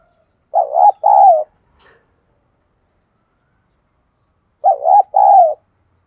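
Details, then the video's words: Decoy spotted dove, 'thổ' voice style, calling to lure wild doves; two matching phrases about four seconds apart, each a wavering double-note coo followed by a longer falling hoot, silence between. "Chim Cu Mồi thúc đấu và gáy gọi bổi nhanh nổi nhất hiện nay"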